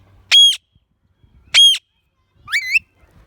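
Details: Pet talking parrot giving loud, shrill squawks: two identical sharp harsh calls about a second apart, followed by a rising, wavering squeak, with silence between them.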